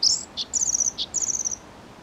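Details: Bluethroat song fragment: high buzzy trills alternating with short, clear notes, each trill a fine fizzing rattle lasting about a third of a second, over a quiet background.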